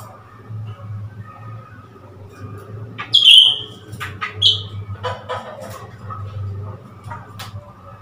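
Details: A newly acquired captive Blue-winged Leafbird is being coaxed to play with a mirror (10 February 2021). It gives a few short, bright whistled notes and some harsher chattering phrases over a low steady hum.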